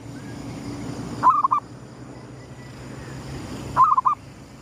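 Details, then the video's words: Gedong mengo style cooing of a local zebra dove greeting the rising sun, kept as a lure bird: two matching phrases of a rising note followed by quick rolling coos, over a soft constant hum. "suara pikat perkutut gedong mengo,manggungnya pas menyongsong mentari terbit"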